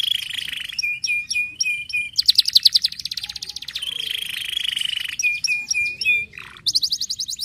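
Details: Canary song played to stimulate lazy canaries to sing: rapid, varied high tours, with slurred chirps, a fast buzzy trill, repeated downslurred notes and sharp whistled phrases, changing every second or two.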